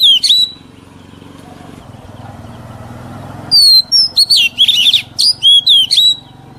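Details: A mature wild Oriental magpie-robin sings, for use in teaching young birds. A short whistled note is followed by three seconds of only low humming, then a run of loud, bouncy, slurred whistles repeats about four times a second.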